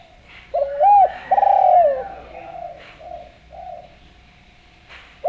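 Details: Spotted dove cooing loudly, used as a lure to draw other doves to call: a low, mellow two-part coo, a short rounded note then a longer drawn-out one, over soft background hum and faint distant coos.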